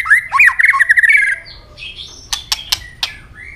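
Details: White-rumped shama giving fighting song with firm tail-snapping: a rapid run of warbled, looping notes around the middle pitch, then thin high whistles and several sharp dry clicks near the end.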